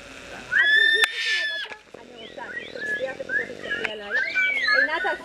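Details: Parrot screaming with loud, harsh, harmonic cries and squawks, mixed with people talking and encouraging it in Hebrew.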